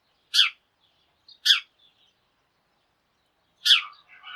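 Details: Sparrows chirping at the start of the day, part of a flock calling together: three loud, clipped chirps, the first two about a second apart, the last followed by softer chatter.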